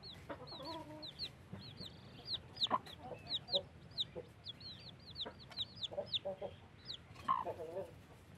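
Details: Newly hatched chicken chicks beside a blackish hen. A dense chorus of high, thin, downward-hooked peeps overlaps and repeats several times a second, with a few soft lower clucks underneath.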